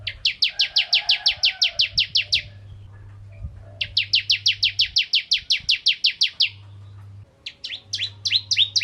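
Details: Bar-winged prinia of the kristal variety singing to provoke other prinias: two fast runs of about twelve and thirteen high chirps separated by a short gap, followed by a jumble of quicker, irregular notes.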